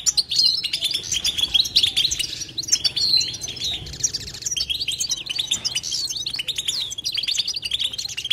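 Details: Goldfinch batbata chatter: a continuous stream of bright twittering notes, quick slurred chirps and buzzy trills, loud at first and then easing a little. There is no silence between phrases.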